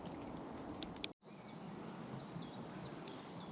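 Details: On a rainy day after midsummer by the Palakoski rapids in Vihti, Finland, a Wood Warbler sings faintly in the distance: clear, sad, down-slurred piping notes about three per second, over rushing rapids and rain.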